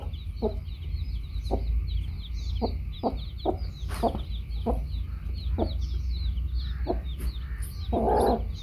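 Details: Baby chicks beside their hen give a steady chorus of high, rapid cheeping. The hen adds short, spaced low clucks roughly every half second, then a louder, fuller cluck near the end over a low background rumble.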